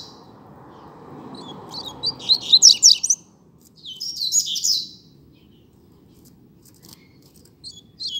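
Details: Double-collared seedeater in a song dispute: high, sharp chirps rise into a loud jumbled twittering phrase, then a second shorter burst, with quieter scattered notes after it.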